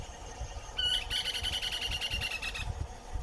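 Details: Short-crested Flycatcher (Myiarchus ferox) in Brazil's Atlantic Forest gives its typical quick call: a sharp opening note, then a fast, rolling, buzzy trill of about a second and a half at a steady mid-high pitch, over a faint low rumble.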